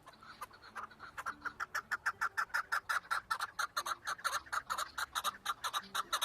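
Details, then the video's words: Chukar partridge delivering a long, rhythmic series of harsh chuk notes, a little over three per second, steady and strong, with a quiet low hum in the background. "Keklik en güzel keklik sesi"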